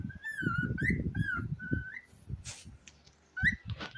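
A cockatiel chatters in clear, mid-pitched whistles, several short level notes and quick upward slides, over low rustling and thumping noise close by.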